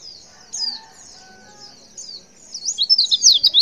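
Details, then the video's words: Female white-eye call used to stir males into answering: a couple of faint high slurred notes, then a louder closing burst of fast, thin, squeaky chirps. "Suara CALL PLECI BETINA Super Lenjeh BIKIN Pleci Jenis Apapun Cepat Respon & gacor"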